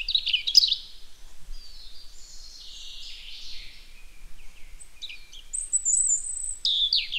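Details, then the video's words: Robin producing high, twittering and wavering phrases with squeaky slurred notes and a thin whistle near the end, over faint background environmental noise. "What does a Robin sound like?"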